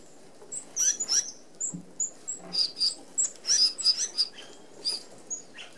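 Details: Red-browed finches crowd an open aviary feeder, feeding together as a flock; rapid, high-pitched, thin squeaky calls come in busy bursts, some slightly rising, mixed with soft pattering and wingbeats.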